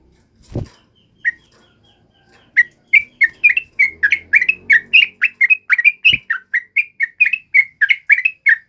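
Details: Male sooty-headed bulbul used as a lure and tutor for other birds: a single note, then from about two and a half seconds an unbroken flow of fast bright chirps with a faint low hum and a knock.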